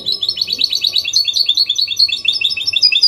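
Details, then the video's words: Goldfinch hybrid (mule) singing a clean song in the Copia Málaga style, used to stimulate males to sing and teach chicks: a rapid, continuous run of bright twittering and trilled notes with no pauses. "Mixto jilguero Limpio canto (copia malaga) Elegante / mule of goldfinch bird singing the best sounds"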